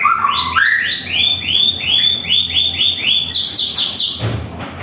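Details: Morning song from a white-rumped shama at home: low whistles give way to a fast, even train of bright chirped notes, finishing with higher chirps and a soft thump.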